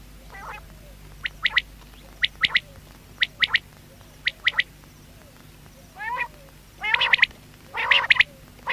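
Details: Short, sharp triplets from a quail repeat roughly every second, interspersed with lower, buzzy, rasping notes that grow louder near the end; a low steady hum runs underneath.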